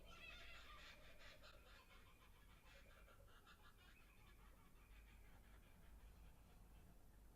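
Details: Several laughing kookaburras right outside a window in Australia giving a chorus of rapid, harsh, rolling chuckles that rise and fall, overlapping, over a low background rumble.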